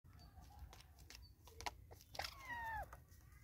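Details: Natal spurfowl in South Africa, birds fighting over a meal; scattered tapping and pecking noises lead into a loud, drawn-out squealing note that slides downward near the end, with a low background rumble.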